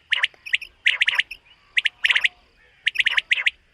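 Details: A common quail in a summer meadow in the morning gives sharp, liquid three-note phrases, 'whit wit-wit,' repeated about once a second.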